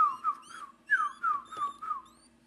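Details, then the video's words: A 4-day-old Blue-crowned Laughingthrush chick, taken out of incubation and hand-fed by aviary staff, begs for food with about seven thin, clear, downslurred whistles in quick succession over a faint low indoor hum. "4-day old Blue-crowned Laughingthrush gets a tasty treat - "Feed me more!""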